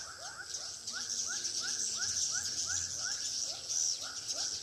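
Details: Rapid swiftlet chirps recorded in a Pekanbaru bird house, each a short upward slur repeated about twice a second over a bright, hissing chatter.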